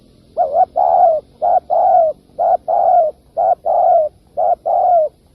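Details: Repeated cooing of a spotted dove, played to provoke wild doves for trapping: five even phrases in quick succession, each a clipped double note followed by a longer mellow, downward-sliding coo, in a quiet setting.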